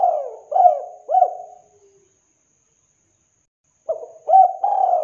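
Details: Spotted dove cooing, played as a master recording to lure other doves: a deep, rolling phrase of soft hooting coos, a pause of about two seconds, then the phrase starts again, clear with no other sounds.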